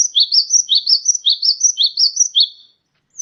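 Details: Sunbird song used as a training recording for cage birds: a fast, high-pitched run of short rising-and-falling chirps, about ten notes in quick regular succession over two and a half seconds, then silence.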